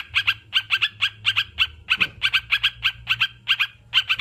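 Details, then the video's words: Sooty-headed bulbul chattering in quick doubled and tripled clipped notes, evenly spaced throughout, over a low background hum. "Terapi burung crucukan"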